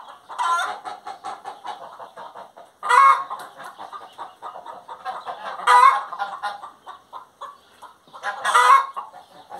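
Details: Singing hen utters four strong, harsh, ringing squawks at intervals of about two and a half to three seconds, with busy rapid clucking filling the gaps.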